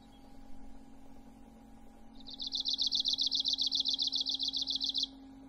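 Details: An Arctic warbler starts singing after two quiet seconds: a rapid, metallic trill of evenly repeated high buzzy notes about three seconds long, cut off sharply. A constant low electrical-sounding hum is in the background.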